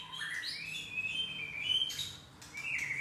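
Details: Male white-rumped shama missing his two main tail feathers, singing indoors: clear whistled phrases that rise and sweep between low and high notes, with brief bright chirps near the end over a faint low room hum.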